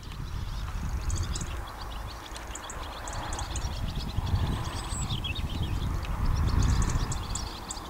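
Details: Swallows gathering to fly south for winter at Carrowcrory, near Ballinafad, Co. Sligo, on September 11th 2009; many birds give bursts of high, thin twittering chirps over a heavy, steady low wind rumble.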